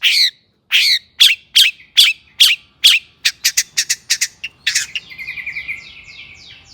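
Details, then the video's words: Agitated long-tailed shrike song for stirring other shrikes to sing: rasping notes repeated about twice a second, speeding into a clipped chatter, then a falling series of thin whistled slurs fading out. "burung cendet gacor EMOSI AMPUH untuk PANCINGAN CENDET AGAR BUNYI"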